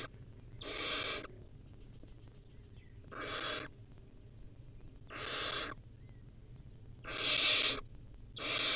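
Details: Young wild barn owl at the nest with a rodent meal: five harsh, breathy screeches at irregular two-second intervals, over a quiet low hum.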